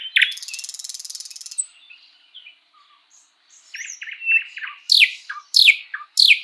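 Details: Spring forest song of the sprosser: a grating rattle, a pause with faint soft notes, then scattered chirps and three loud, sharply descending whip-like calls.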